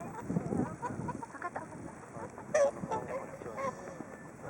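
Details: Whooper swans in a flock waiting for food at Hakuchodai Sebat, Onuma and Konuma, in winter; scattered honking, nasal calls from several birds over a murmuring background, one louder bugle-like note midway.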